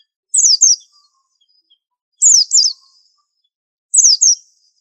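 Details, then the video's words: A white-eye (pleci) gives very high, thin double notes, each a quick downward slur, repeated about every two seconds against silence. "Pleci super antik masterannya harus unik"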